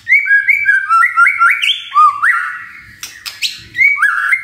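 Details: Magpie-robin song used as a lure to spur other birds into vigorous singing: a fast run of clear whistled phrases, each a short note slurring sharply upward, repeated in quick succession, then a brief scratchy burst and more rising whistles.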